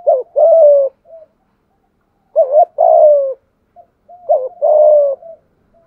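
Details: Spotted dove calling with the 'thúc gù' coo: three similar phrases, each a quick double hoot running into a long, slightly falling coo, spaced about two seconds apart.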